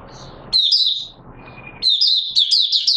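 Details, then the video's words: Oriental white-eye in 'buka sing' (opening song) on 24 March 2022: after a quiet, noisy start, two bursts of high, rapid, sweet twittering warbles, each phrase tumbling over and over at the same high pitch. "Mata Puteh Raja Video 1 buka sing"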